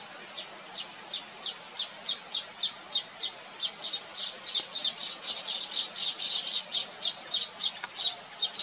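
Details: Baya weavers, locally Thookkanam Kuruvi, recorded through a Nikon P1000: rapid high chattering notes, roughly three or four per second, growing denser and louder toward the end, with a single lower click near the close.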